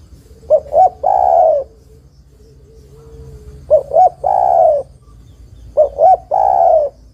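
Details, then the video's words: A female spotted dove calls to attract the male, with three phrases about two and a half seconds apart. Each pairs two clipped coos with a longer, smooth, falling coo, and faint low tones sound between them. "TEKUKUR BETINA MEMANGGIL JANTAN ini PALING PANDAI membuat TEKUKUR JANTAN bunyi"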